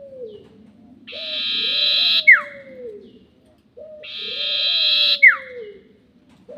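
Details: Sirtu bird trapping lure, long 'nyiul' type: two drawn-out buzzy notes, each capped by a quick falling whistle, while a lower sliding whistle repeats underneath against soft background hum.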